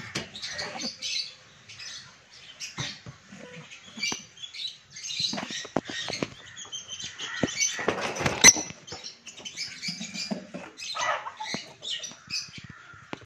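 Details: A lutino peach-faced lovebird chatters almost nonstop with harsh, scratchy squeaks and high chirps in quick bursts, mixed with soft rustling and clicks.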